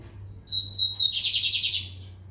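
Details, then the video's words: Bigodinho americano, a lined seedeater, recorded in São Luís, Maranhão. A short phrase of clear high whistles slides into a rapid rattling buzz near the end, over a faint steady low hum. "BIGODINHO AMERICANO / 15 MINUTOS SÓ DE CANTO"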